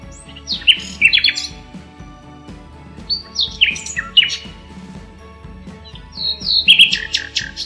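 Common Nightingale song in three bursts of rich whistles and fast rattling trills, the last ending in a rapid repeated phrase, over faint steady background music.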